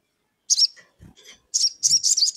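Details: Sogon in full voice, calling a rival to draw another sogon into song; bright, high twittering bursts with short trills, broken by a brief low thump, then a rapid run of chattering notes.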